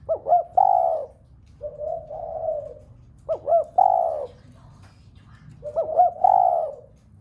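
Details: Spotted dove coo phrases meant to trigger a whole flock of doves to coo: two quick hiccuping notes, a strong falling coo, then a lower soft coo, repeated three times in quick succession.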